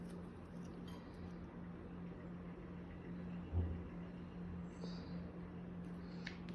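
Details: A constant low hum runs throughout, with soft background room noise and a brief bump midway. No clear animal calls stand out.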